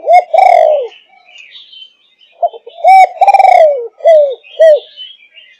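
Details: A 5.5-month-old spotted dove of the Malaysian thúc gù line gives two cooing bouts. Each has a rolling, quavering low coo that falls in pitch, followed by a pair of short arched coos.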